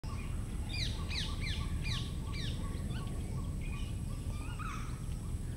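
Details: A pair of Rose-ringed Parakeets inspecting a probable nest site in Botanical Gardens on 2 August 2019 give a quick run of harsh, down-slurred screeches over about two seconds, then softer scattered notes, above a steady low rumble.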